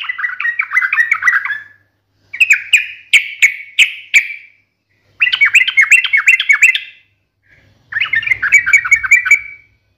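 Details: Sooty-headed bulbul in energetic, sharp fighting-style chatter meant to make other birds answer at once. Four bursts of rapid, harsh, bubbling notes, each lasting about two seconds, separated by short silences. One burst is a string of clipped, evenly spaced notes. A faint low hum sits underneath.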